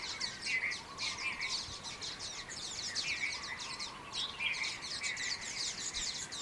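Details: Common waxbills, escaped cage birds now living in Taiwan, recorded in Kaohsiung on 18 January 2018; dense high chirping and twittering chatter, many short overlapping notes with a steady low hum beneath.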